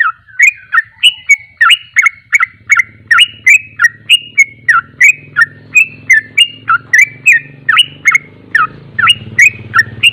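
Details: Ropelan song of a Sooty-headed bulbul (trucuk): steady bursts of bright, slurred whistles, nearly three a second for ten seconds, while a low humming drone grows louder underneath.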